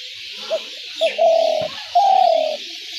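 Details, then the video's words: Spotted dove call used for luring doves into traps: a short coo, a quick second note, then two long purring coos, the final one drooping slightly in pitch. Steady hiss throughout. "ঘুঘু পাখির ডাক/Dove bird calls/gugu pakir dak/ dove trap sounds/পাখির ডাক"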